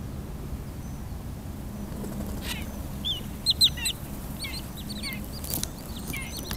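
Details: Black-winged stilt, 8 August 2013, Wrocław, Poland, gives sharp, high yelping notes in short bursts of two or three over a steady low rumble of wind or distant noise.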